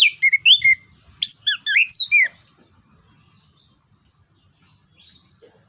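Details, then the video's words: Orange-headed thrush, a songbird of Southeast Asian forests, song for prompting a quiet bird: a busy run of mixed whistles, slurs and sharp chirps lasting about two seconds, then near silence. "PANCINGAN JITU ANIS KEMBANG GACOR NGEROL NGEPLONG"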